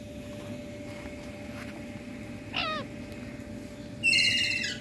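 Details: Indian ringneck parakeet in India calling: a thin falling whistled note, then a loud harsh screech near the end, over a quiet steady hum.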